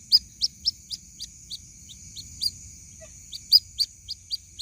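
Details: A white-breasted waterhen chick calls its mother with a run of piercing short peeps, roughly every quarter to half second, some louder than others, over a constant faint high-pitched hum.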